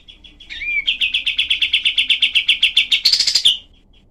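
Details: Cream-vented bulbul used as tutor song for other cage songbirds, full of dense, sharp 'shot' phrases. A rising slurred whistle opens a fast run of about four clipped notes per second, which ends in a harsh, buzzy flourish.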